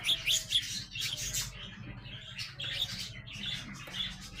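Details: Young growing sparrows keep up a fast, continuous twittering chatter of rough, overlapping chirps with no real gaps, a low hum running underneath.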